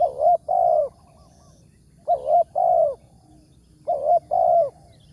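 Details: Spotted dove targeted at a morning trapping site, noted for its big voice. Three evenly spaced phrases, about two seconds apart, each a clipped double coo followed by a longer, softly falling hoot.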